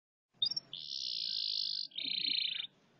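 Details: Domestic canary singing indoors while making movements: a brief high opening note, then a long steady buzzy trill, followed by a slightly lower rolling trill, with faint low background rumble.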